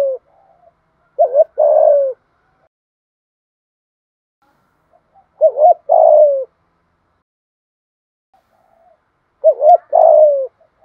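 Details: Spotted dove, kept as a cage bird, giving a 'thúc gù' coo in the 'giọng thổ' voice style. Three short cooing phrases about every four seconds, each a couple of clipped notes then a longer falling coo, with silence between.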